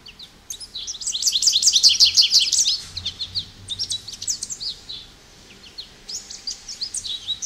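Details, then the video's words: American goldfinch pouring out a fast, high-pitched warble of twitters and slurred chirps, loudest early on, then continuing as spaced bright notes with short pauses. "American Goldfinch Bird Call Song | Goldfinch Bird Singing | Goldfinch Bird Sounds"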